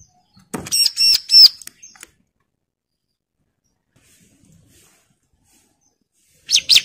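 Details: Bar-winged prinia, worked up and challenging a rival, delivers a rapid burst of three or four high, ringing, buzzy notes, then a long pause before another short burst begins.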